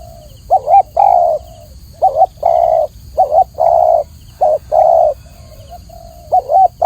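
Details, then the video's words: Clear tekukur, or spotted dove, cooing: paired notes, a short warbled coo leading into a longer flat coo, given five times in quick succession with brief gaps; a thin steady whine sits in the background. "masteran burung tekukur atau spotted dove suara jernih"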